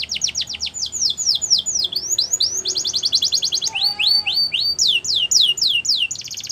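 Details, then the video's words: Gloster canary singing a fast, varied song of repeated descending whistled notes in quick series, shifting through buzzy trills and a brief lower tonal phrase, notes at about three to four per second, with no other clear sounds. "Gloster Canary Singing | Canary Bird Sounds"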